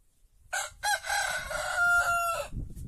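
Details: A white rooster in an Andalusian village crows once: two rough opening syllables, then a sustained harsh call with a clear held tone near the end, fading out over faint low background rumble.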